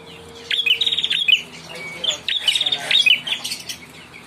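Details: Young ashy prinia singing two phrases of fast, high, rattling repeated chips, each lasting about a second, with a thin steady whistle-like tone in the background early on.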